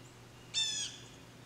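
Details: A single harsh, nasal blue jay call lasting about a third of a second, loud and full of layered overtones, with a quiet steady hum behind it.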